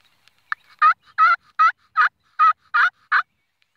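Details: Turkey giving a series of seven loud, harsh, nasal notes, each short and evenly spaced, about two to three per second, in otherwise quiet surroundings.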